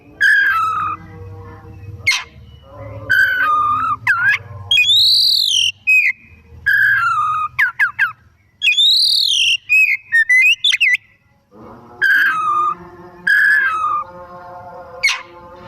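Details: Oriental magpie-robin in full afternoon song, played as a lure to set other birds singing: a varied stream of loud whistles, arched high notes, falling slurs and quick chattering bursts with brief pauses.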